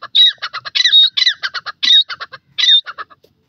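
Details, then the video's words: Southern Red-legged Partridge (dakhni teetar) in forest gives loud, harsh, high notes in a quick stuttering series, with a few longer, ringing, squealed phrases mixed in, over about three seconds. "dakhni teetar bird sound in forest,partridge awaz"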